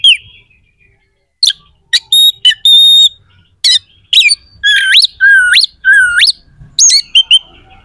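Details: Challenge song of an oriental magpie-robin, rough and piercing, intended to trigger rival magpie-robins to answer and fight: a lone whistle, a pause, sharp notes, then three rising swooping whistles in a row.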